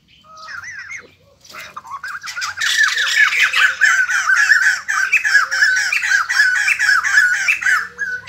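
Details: ['White-crested laughingthrush singing while dancing: a few whistled rising notes, a short pause, then an explosive, sustained chorus of harsh cackling and squawking chatter.']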